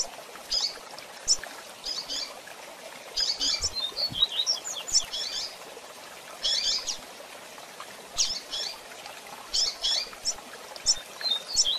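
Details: Calls of a female double-collared seedeater used to excite a male, clusters of high, thin chips with brief twittering runs, pausing between bursts against a low hiss.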